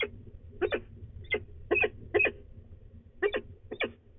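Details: At De Mortel, Netherlands, a female peregrine falcon mutters before flying off, 24 March 2020, mid-morning; clipped harsh chup calls, some paired, about seven in four seconds, with a steady low drone behind.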